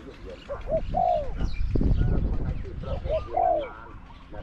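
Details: Decoy spotted dove in a trap pen, competing with wild doves, gives two cooing phrases of short notes ending in a long descending coo. A loud low rumble fills the middle.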